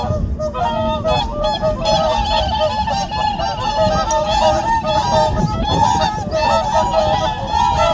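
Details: Whooper swans wintering on a reservoir, a group of five or six back in the morning after a night away, nodding heads while calling and then fighting; dense overlapping trumpeting honks from many birds, continuous and loud.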